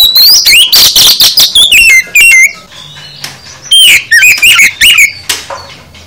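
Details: Oriental magpie-robin full song used as training material for caged birds: loud bursts of whistled notes with rising and falling sweeps, harsh buzzy chatter and clipped high phrases, separated by short pauses.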